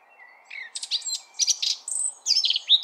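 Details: Eurasian blackcap song: a brief thin whistle, then a hurried jumble of scratchy, warbling notes that break into clear, fluty whistled phrases, over a soft low background murmur.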